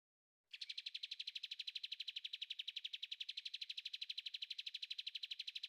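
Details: Bulbul (kapas tembak), a caged bird whose clear song is offered for other birds to copy; a fast, even rattling trill of about three notes per second, high and steady, running without pause after a brief silence.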